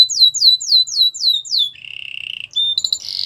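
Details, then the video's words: Canary training song with a run of six loud, downward-slurred whistles, then a lower, buzzy rolling trill and a burst of brief high notes. "Make your canary singing everyday"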